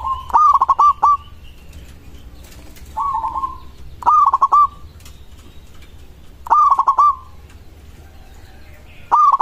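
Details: Local zebra dove singing a song said to make other zebra doves answer at once: mid-pitched rolling coos, loud stuttering phrases alternating with softer smooth ones, about five phrases over nine seconds.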